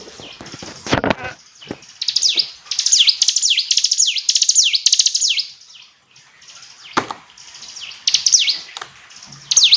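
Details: Hill prinia delivering long runs of quick, high, down-slurred whistles, packed closely together, broken by loud clicks and knocks and a short gap midway.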